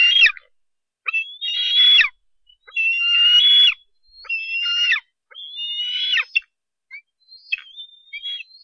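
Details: Bald eagle eaglet begging as a parent brings fish to the Harrison Bay nest, 10 July 2015: loud, harsh whistled squeals roughly every second and a half, each wavering then dropping, fading to softer, thinner squees at the end.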